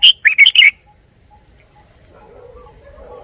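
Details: Red-whiskered bulbul, a crested cage bird used as a decoy, gives one quick bright phrase of four or five clipped whistled notes, then falls silent over a faint low hum.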